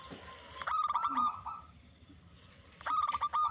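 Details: Local zebra dove with a big voice, singing as a lure for other zebra doves: two phrases of fast, clipped, repeated coo notes over a steady background hiss.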